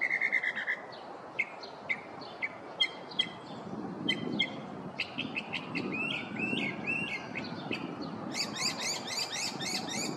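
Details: Morning song of a male Northern mockingbird in a neighborhood, working through its repertoire: a whistled opening, scattered sharp chips, dense chattering phrases, and a harsh, raspy burst at the end, with faint traffic-like hum beneath.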